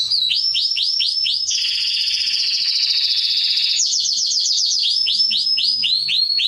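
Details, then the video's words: Atlantic canary singing for training young birds: rapid series of sweeping upward chirps, then a long buzzy rolling trill held for over two seconds, followed by faster whistled slurred notes repeating several times a second. "CANARY SINGING - Serinus canaria | كناري | canarios"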